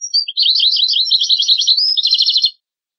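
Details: European goldfinch tutor song for hybrid and goldfinch chicks: two and a half seconds of rapid, liquid twittering that shifts into a fast, even, buzzy trill before stopping into silence.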